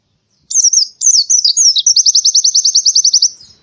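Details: Indonesian white-eye in canary-style burst song, meant to stir reluctant birds into singing: high warbled, twisting phrases that break into a long, fast, evenly pulsed trill, with no other sound behind it.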